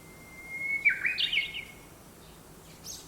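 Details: Birds gathered in a large black locust tree beside a house in town, singing around sunrise: a long steady high whistle leading into a brief warbled burst, then a faint high note near the end over a quiet background hum.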